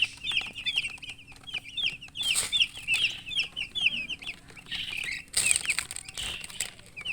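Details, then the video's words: Several newborn chicks peep loudly in rapid, high, curved chirps, a busy overlapping stream broken by a few sharp knocks and bursts of handling noise. "Tot Murgi chicks chirping sounds Just Born Baby Gallina FRACAS Chicks Piar Loudly Sound"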